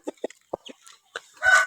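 A Burmese chicken gives a quick run of short, throaty clucks, then a harsher, louder squawk at the end.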